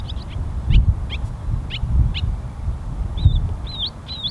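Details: Barn swallows at Pease Tradeport, New Hampshire, give short, high chirps, some rising or slurred, in loose bursts about a second apart, over a steady low rumble of wind.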